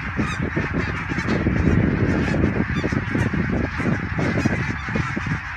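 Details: Huge flocks of greylag geese crossing the dike toward the Elbe at Fährmannssand, Wedel, Germany, 12 April 2020, captured by mobile phone: thick overlapping honks swelling and easing, strong low-frequency rumble throughout.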